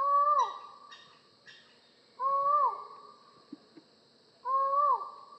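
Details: Collared forest falcon calling from dense tropical rainforest in Latin America: three loud, hollow, nasal notes spaced about two seconds apart, each steady and then dropping off at the end. A few soft clicks are heard between the calls.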